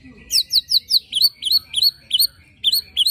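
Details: White-rumped shama bursting song with rough fill-in, meant to provoke other shamas: quick descending high notes, followed by a series of bright downslurred whistles repeated at short, even intervals.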